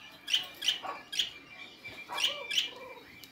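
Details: Budgerigars, also called parakeets, giving short bright chirps in quick irregular succession, about three per second, with a faint steady whistle-like tone underneath.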